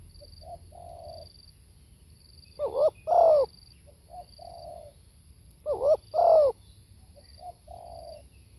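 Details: Spotted dove singing live: soft coos, then two loud double-coo phrases about three seconds apart, each tailing into gentler low coos.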